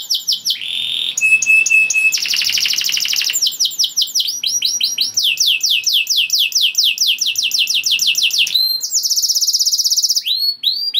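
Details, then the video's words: Canary, described as a lively singer whose song stirs other canaries into breeding mood and gets them singing along; rapid varied tours of repeated descending sweeps, trilled rattles and steady whistled notes, high-pitched and continuous. "Kenari Gacor Satu Ini Pandai Untuk Naikkan Birahi Kenari Lain Agar Ikut Bunyi || Voice of Canary"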